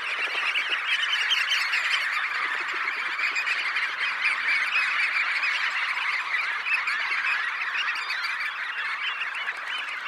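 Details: Red knots, roughly 20,000 birds, lifting off together from a high tide roost, heard close; a loud, unbroken wall of countless overlapping squeaky calls holds steady from start to finish.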